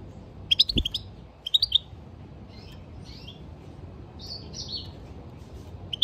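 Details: European goldfinch singing: bursts of sharp, high twittering chirps followed by slurred, buzzy tinkling notes and brief pauses, over a faint low hum.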